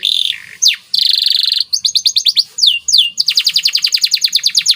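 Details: White canary singing a lively training song, with a sustained buzzy high trill, then sharp downward sweeps, and rapid runs of rising-falling notes repeated several times a second toward the end.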